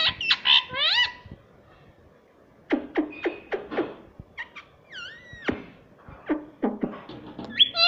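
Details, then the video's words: Pet green ring-necked parrot mimicking human words indoors; quick bursts of clicks and short harsh notes between clear harmonic, curving speech-like syllables, some rising, some dipping. "ये तोता सब कुछ बोलता है || parrot talking everything || Mummy papa mithu"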